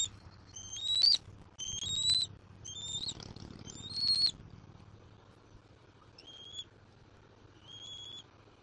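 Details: Fledgling-age bald eagle at a Southwest Florida nest, 7 April 2024, squeeing as it wants to be fed fish by its father: several high thin whistled squeals, louder in a quick cluster then fading to softer, spaced notes, over a low hum.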